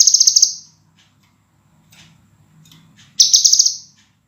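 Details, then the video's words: Scarlet minivet on a cage-bird training master: a shrill pulsed trill fading out, faint soft chirps and low rumble in the gap, then another bright rapid high phrase about three seconds later. "MASTERAN BURUNG SEPAH RAJA SUARA JERNIH RAPAT DAN TAJAM"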